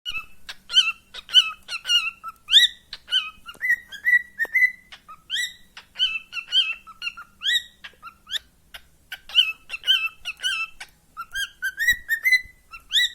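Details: Cockatiel heard in the morning, chattering in quick bursts of whistled chirps, with rising and warbling notes repeated throughout.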